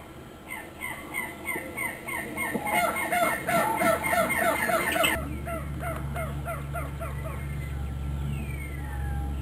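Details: Endemic silvery-throated spinetail calling: a rapid stuttering series of short, nasal, down-slurred notes repeated about three per second, fading out, followed by a thin descending whistle, with a steady low hum underneath.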